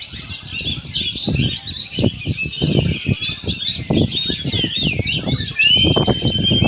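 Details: Oriental magpie-robin song, loud and varied, full of fast chirps and slurred whistles, ending in a long clear upslurred whistle, over steady low knocking noises.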